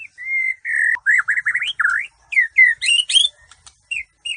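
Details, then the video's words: Competition song of a Bahorok white-rumped shama: a steady whistled note, then quick rising and falling warbled phrases and sharp high chips, delivered in a fast, varied stream with brief gaps. "Murai bahorok tembus ke presiden cup"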